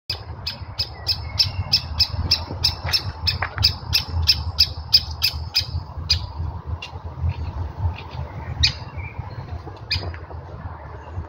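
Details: Woodpecker calling: a rapid series of sharp, high, clipped notes about three per second, slowing and breaking up toward the end, over steady low rumbling background noise.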